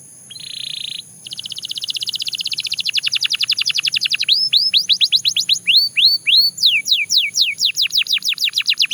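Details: Belgian canary singing: a steady high buzzy note, a lengthening rapid trill of repeated notes, then series of arching and falling whistled notes.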